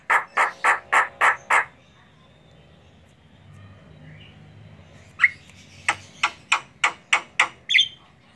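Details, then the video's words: Female Javan myna (jalak kebo) in energetic song used as a training model for songbirds: two bursts of harsh, rasping notes repeated rapidly about five times each, separated by a quiet gap. "Suara burung jalak kebo betina gacoorr manggut manggut"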